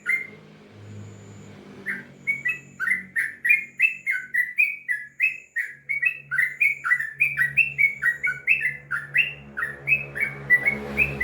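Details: Sooty-headed bulbul, known locally as trucukan, delivering a long ropel song. Faint notes give way to a sustained run of fast, warbling chirps that bounce up and down, over a steady low droning hum.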